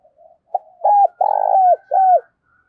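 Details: Decoy spotted dove giving one cooing phrase: a soft lead-in note, then three strong, slightly falling coos, the middle one longest and rolling, with a faint higher tone alongside.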